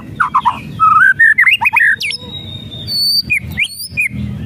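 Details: White-rumped shama whistles and rattles, used to goad a reluctant bird into singing: clear whistled notes slide and rise in quick succession, then higher thin notes and short upswept whistles follow after brief pauses. A low background rumble runs throughout.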